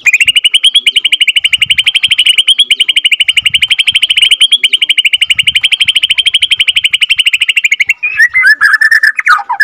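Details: Borneo white-rumped shama, a second-generation captive-bred (F2) bird, in a long rolling ngerol song: a fast, steady run of sharp repeated notes, about eight per second, for eight seconds, then a few twisting whistles.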